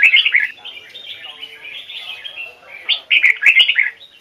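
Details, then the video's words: Red-whiskered bulbul in a bird-training series, singing a standard-voice song with double notes in the Hoài Sơn forest style: bright, rapid warbled phrases at the start, a quieter middle stretch, then loud chirpy bursts near the end. "Chào mào hót giọng chuẩn, âm kép rừng Hoài Sơn"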